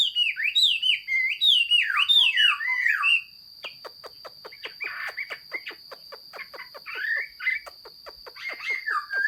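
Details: Chinese hwamei singing, recorded 15 June 2021: loud, rich whistled phrases sweeping up and down for about three seconds, then a run of sharp clicking ticks with a few softer warbled notes; a steady high electronic whine throughout.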